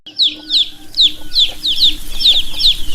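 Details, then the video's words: Baby chicks peeping: sharp, high downward-sliding chirps that start sparse and quickly build into a steady stream from several birds. "Baby Chicks - Chirping Sounds"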